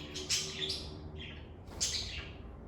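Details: Pet lovebirds recorded in a calm indoor setting, giving two broad, harsh chirps about one and a half seconds apart, with a faint low hum beneath.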